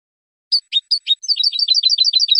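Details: Clean 'limpio' song of a male European goldfinch from Casablanca, Morocco: four separate sharp chirps, then a rapid rolling series of doubled twittering notes.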